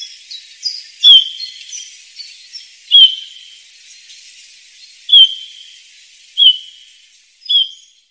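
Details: Bullfinch song heard as thin, high, downslurred whistles repeated every one to two seconds, with faint softer notes between them and a quiet hiss behind.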